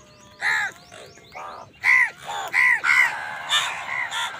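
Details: Angry crows competing with other birds over food, giving a run of harsh, hoarse caws about every half second, some overlapping.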